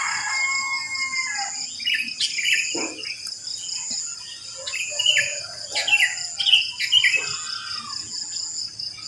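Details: Sooty-headed bulbuls singing just after dawn in a residential neighbourhood where many live; bubbly, warbling phrases of short slurred notes in bursts, over a steady high buzzing of insects, with other birds calling.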